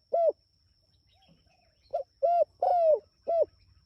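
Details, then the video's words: Calling to its companions, a spotted dove gives a single coo, a pause, then a run of four coos with the third longest and drooping; light low rumble and a faint constant high tone behind. "Suara Burung Tekukur Gacor Memanggil Temanya"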